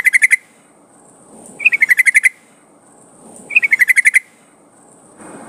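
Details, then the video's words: Yellow-vented bulbul, used as a lure to make trucukan sing: short, sharp, repeated clipped notes in quick runs of six to eight, each run coming about every two seconds, over a soft background hiss. "Suara pancingan trucukan gacor agar bunyi jadikan burung trucukan gacor"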